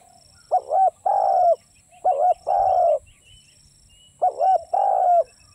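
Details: Spotted dove giving coos in pairs: a short wavering note followed by a longer, even, slightly falling coo, the pair repeated three times with short pauses; faint high chirps of other birds behind.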